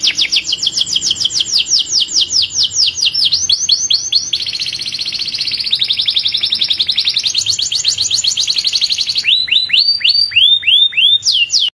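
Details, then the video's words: Belgian canary, apparently a male, singing to stimulate other canaries to sing and breed: a long, fast run of high trilled and rolling phrases, shifting to quick descending whistled notes near the end, with no other sounds. "تغريد رائع لطائر الكناري في قمة الجمال لتحفيز طيوركم على التغريدBeautiful canary voice"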